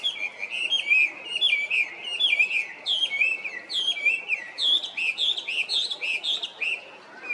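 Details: Chinese hwamei singing a long, loud run of rich whistled phrases, slurred notes rising and falling around the upper-middle range, repeated in quick varied bursts with bright overtones, steady background hiss.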